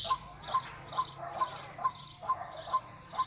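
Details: Calling of a White-breasted waterhen, a sound played to attract birds for hunting: evenly spaced short clipped notes repeated about twice a second, with thin high chirps from other small birds in between.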